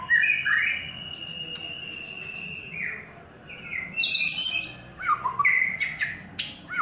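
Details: White-rumped shama in its third molt singing: a long, steady high whistle held for nearly three seconds, then a fast varied run of sweeping whistles, sharp clicks and trills at changing pitches.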